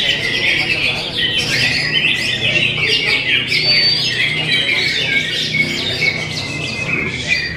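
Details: Greater green leafbird singing a long, lively medley of sharp chips, squeaks and clear rising whistles, crowded and rapid, with one clean upward whistle standing out midway.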